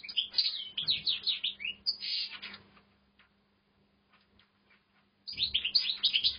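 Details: Caged European goldfinch starting to sing in an aviary, giving a fast run of high, tinkling twitters and trills for over two seconds, falling silent for several seconds, then resuming the lively chatter; a low hum sits underneath.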